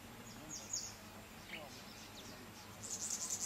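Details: A red-billed firefinch (Lagonosticta senegala ruberrima) gives thin, very high chirps in quick bursts, with a softer down-slurred note between them, over a low background hum; recorded at Kibuye, Rwanda, in March 2013.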